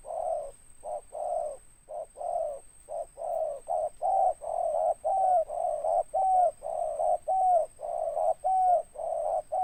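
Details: Spotted dove giving a loud, deep ngeruk coo with a tindan ending: low hollow cooing notes repeated in a steady rhythm about once a second, some ending in a short gliding note, over a faint steady electronic whine.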